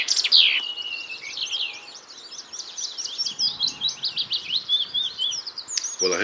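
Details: Spring Blackcap song, beautiful and intricate, among other birds answering one another: a fast jumbled warble of bright varied notes running for several seconds, with a short abrupt sound at the end.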